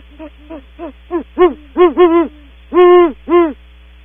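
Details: Great horned owls, female then male, calling as they leave a nest cavity at Audubon Starr Ranch: a series of deep hoots, short and soft at first, then louder and longer, with the final two drawn-out hoots strongest; steady low hum behind.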